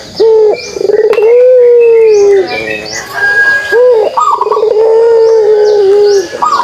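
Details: Pelung dove giving its kugeruk call: a rolling, trilled start that settles into a long, steady low coo held about two seconds, then repeated, over faint high chirps from other small birds.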